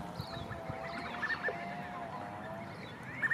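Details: Many New Zealand scaup (diving ducks) gathered together in spring breeding season, chortling with a few soft, high whistled notes over a quiet drawn-out murmur; a distant chainsaw and a low rumble run throughout.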